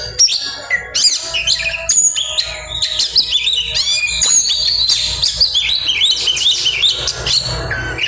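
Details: Oriental magpie-robin (kacer) singing in grabakan style with isian, inserted phrases: loud, fast, varied whistled and chattering phrases, sharp rising and falling notes, dense bursts with brief pauses.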